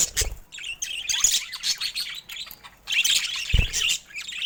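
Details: Pet budgerigars of varied colors keep up a continuous scratchy warble of rapid chirps and squawky notes, broken by two low knocks and short pauses.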